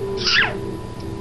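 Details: A pet Hahn's macaw (identified as red-shouldered macaw, Diopsittaca nobilis) indoors gives a single quick, convincing sneeze imitation: a breathy hiss that drops in pitch, over a faint steady indoor hum.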